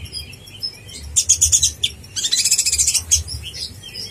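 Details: Konin blorok master song for contest birds: soft scattered chirps give way to two bursts of fast, very high rattling twitter, the second longer and run together, followed by a few isolated thin notes.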